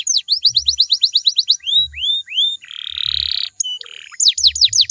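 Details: Canary song meant to get other canaries to sing back: quick downward-sweeping whistles slowing into looser slurred notes, then a dense buzzy roll and a return of rapid sweeps, with low thuds beneath.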